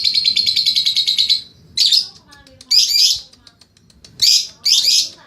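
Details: Lovebird in training, giving its ngekek long trill: a fast, even run of high buzzy pulses for about a second and a half, then scattered sharp chirps and short bursts of chatter.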